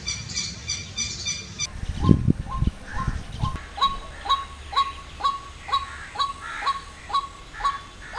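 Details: White-breasted waterhen in Jammu and Kashmir giving a steady series of short, hoarse croaking notes about twice a second, after a brief burst of higher chatter and a few low thumps.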